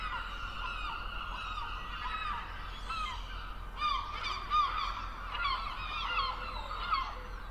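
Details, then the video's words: Gulls calling, several harsh, nasal squawks with strong harmonics overlapping one another, some short and sharp, others drawn out, over a steady low rumble of background noise. "Verso del gabbiano, che verso fa il gabbiano"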